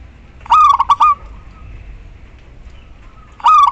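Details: Local female zebra dove calling to the male: one full stuttered cooing phrase of clipped hoots ending in a long tone, then the start of the next phrase.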